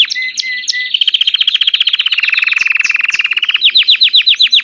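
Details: Belgian canary song for warming up a bird to sing: a few short whistled notes, then a long steady high trill of rapid pulses slowly falling in pitch, ending in quick repeated swooping notes.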